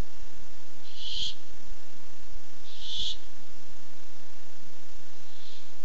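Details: On 8-7-15 a barn owl comes by in search of food, uttering three short rasping hisses roughly every two seconds, the last one quieter, over low electrical hum.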